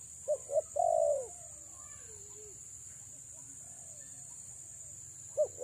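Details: Female spotted dove decoy gives one phrase of two brief coos and a long falling purr, then quiet with faint soft sounds, and a last short coo at the end; steady high whine.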